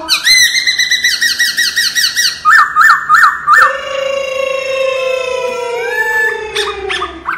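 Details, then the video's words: Laughingthrush singing in wild style for voice training: rapid wavering trills, then four looped whistled notes about once a second, then a long, slowly rising harmonic tone ending in short sharp notes. "Luyện giọng chim Khướu chuẩn giọng rừng"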